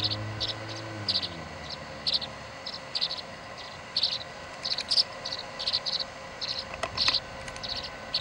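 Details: Tree swallow nestlings squabbling over the feeding spot, 26 July 2011: a rapid, irregular string of thin, high chirps in brief clusters, over a faint hum with a short low tonal sound at the start.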